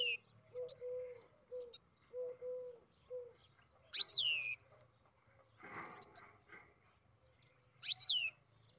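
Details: Captive-bred goldfinch in early song gives sharp descending sweeps and high double ticks. Another caged bird's lower steady whistled notes repeat over the first seconds, followed by brief rustling.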